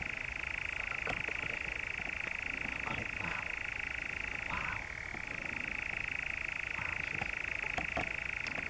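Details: European Nightjar churring in the Brecks, Norfolk, 7 July 2017. A continuous fast rattling trill runs throughout, with a brief dip in pitch near the middle. Faint soft ticks are heard in the background.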